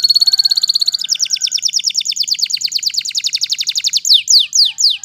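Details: Canary singing, described as in the wild, delivering a fast steady trill of bright high notes that slows into repeated sweeping downslurred whistles near the end.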